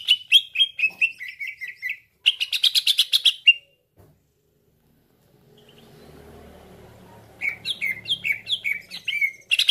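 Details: Cucak ijo calling as a trapping lure: bursts of quick downslurred chirps, a dense buzzy rattle, a pause with faint rumbling, then another run of sharp repeated downslurred notes.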